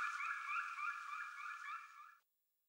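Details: Black woodpecker uttering a sustained, wavering, ringing call of about two seconds that ends abruptly, followed by silence.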